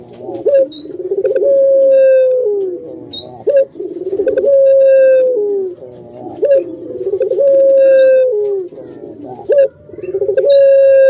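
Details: Hobby-kept puter pelung (Barbary dove): four cycles of short upswept note, throaty coo run and long level drawn-out tone, every three seconds, with thin high squeaks between.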